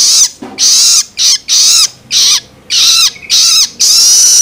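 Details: Juvenile long-tailed shrike loloan begging meant to stimulate adult birds: rough, hissy shrieks of varying length with falling inner tones, repeated rapidly with brief silences.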